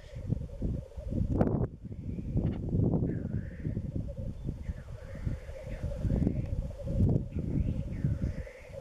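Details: Black grouse lekking in east Wales, March 2016, with females present, bubbling in a steady, low, dove-like rookooing chorus, with occasional higher whooshing notes over heavy wind rumble.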